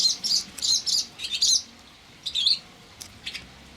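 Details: Barn swallow chicks, four hatched from five eggs in a reused nest, calling during the evening feeding rush on a windy 1 April 2020: dense bursts of high, shrill chirping in clusters, a pause, then two shorter squeaky flurries.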